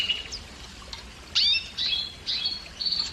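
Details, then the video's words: Canary song intended to stimulate females to breed, here a short run of sharp, high, downward-sliding chirps and brief whistled notes separated by short pauses. "كناري مجنون - الكناري المجنون سبحان الله أفضل صوت لتهييج إناث الكناري وحثهم على الزواج"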